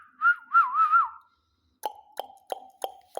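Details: Talking pet ring-necked parakeet: a looping, undulating whistled phrase of several rolling syllables, then after a pause a steady series of five clicking knocks about three per second.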